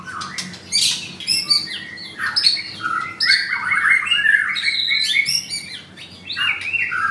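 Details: Blue-ringed white-rumped shama in a cage, Kemayoran, Jakarta, singing close to the microphone. Bursts of sharp high chips alternate with rolling, slurred whistled phrases in a lively, nearly continuous stream.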